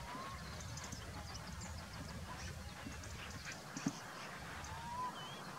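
Little owl giving two soft, drawn-out whistles that rise at the end, several seconds apart, over a steady low rumble and faint background noise.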